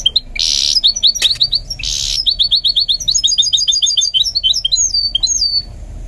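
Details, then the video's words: Goldfinch mule being trained to sing, delivering a fast, dense run of high twittering notes with bright buzzy bursts, repeated chirps and rising and falling whistled slurs. "Training My GOLDFINCH Mule to Sing"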